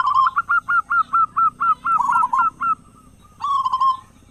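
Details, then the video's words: Prolific local zebra dove with a big voice, used as a lure to set other doves singing: about eleven evenly spaced, clipped, hooked coos, then a brief pause and a smooth rolling phrase. "perkutut lokal gacor suara besar buat pancingan diPAGI dan sore"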